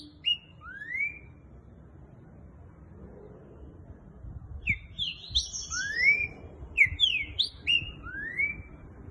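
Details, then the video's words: Caged green-winged saltator of the boiadeiro song style, presented as very fast, singing short phrases of clear whistled notes dropping then a long rising slur around two kilohertz, with bursts of higher chattering notes in between and low background hum. "TRINCA FERRO BOIADEIRO MAIS RÁPIDO DO BRASIL!"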